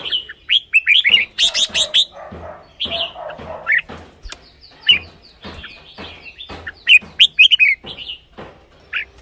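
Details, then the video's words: Red-whiskered bulbul song, used as a decoy or to excite caged birds. Busy run of quick warbled and whistled phrases mixed with sharp clicking and rattling noises, nearly continuous for the whole stretch. "เสียงนกกรงหัวจุก สำหรับต่อ หรือ เปิดให้นกคึก เสียงเพราะๆ"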